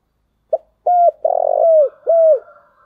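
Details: Spotted dove decoy call used to lure other doves: a short note, then a steady hooting coo, a long buzzy trilled coo sliding down, and a final falling coo, low and clear with no other sounds.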